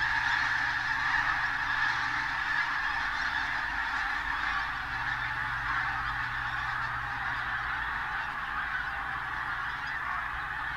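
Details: On a bright day, 8 October 2012, at Martin Mere WWT Reserve, Lancashire, a large flock of pink-footed geese moving in and out keeps up a dense, continuous chorus of high, yelping honks.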